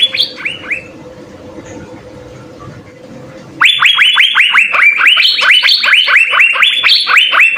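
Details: Asian fairy-bluebird in full, active song with fill-in phrases, used as a master recording for training songbirds. A few rising whistles, a quiet murmuring gap, then a dense run of quick upslurred whistled notes, about two per second, with an abrupt start.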